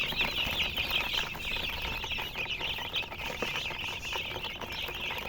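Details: Many baby chicks chirping together, overlapping high-pitched peeps forming a constant band with rustling noise below.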